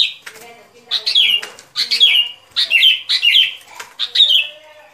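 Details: Sooty-headed bulbul song from a trapping lure: five or six short, bubbly whistled phrases given about once a second, each one dropping in pitch, over faint lower chatter.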